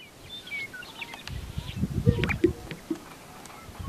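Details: Sage grouse in northwestern South Dakota: a cluster of low, muffled pops and gulping swishes in the middle of the clip, with faint thin chirps from other birds above and steady outdoor background noise.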